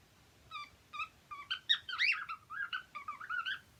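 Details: Happy cockatiels singing. It opens with clear harmonic whistled notes about every half second, then becomes a busy warbling mix of rising and falling squeaky phrases and chirps.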